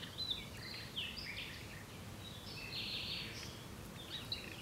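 A common nightingale sings varied, rich phrases of whistles and rattling trills in quick succession over a steady low background rumble.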